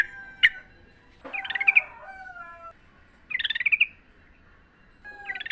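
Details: Sooty-headed bulbul singing in the wild. Short bubbly, warbled phrases come roughly every two seconds, with lower, clear, falling whistles overlapping between them.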